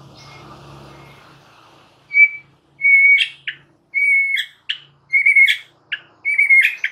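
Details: White-rumped shama, a training recording for caged birds, singing vigorously: clear whistled notes near one pitch, each followed by short buzzy bursts, after a faint low hum in the opening two seconds.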